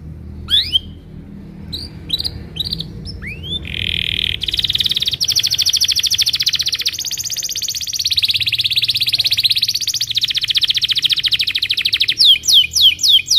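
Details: Morning song of a Belgian canary, played to train young canaries; a few scattered chirps and upsweeping notes open into a long, dense rolling trill that wavers in pitch, ending in quick sharp downslurred notes.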